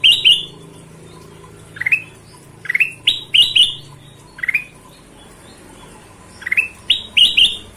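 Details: Lively golden-vented bulbul song of sharp rising whistled notes, some doubled into quick couplets, delivered in spaced bursts about every second, over a faint steady low background hum.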